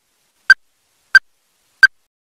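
Ruddy-breasted crake giving three hard, clipped notes, evenly spaced about two-thirds of a second apart, against a silent background.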